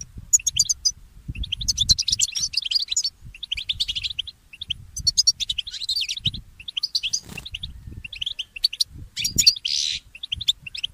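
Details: Goldfinch mule, a goldfinch hybrid, singing in the early morning: bursts of rapid, bright twittering and chirped notes in phrases of one to two seconds, separated by short pauses, with occasional buzzy trills and a low background rumble.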